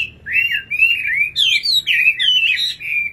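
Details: Singing nightingale: a continuous high warbled phrase of sliding, slurred whistles that rise and fall, with a brief louder burst midway and no other clear sounds.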